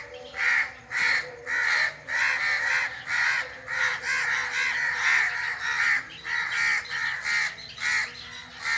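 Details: A long run of harsh, rasping bird calls in the forest, some fifteen rough bursts, often running together in rapid clusters, loud and close.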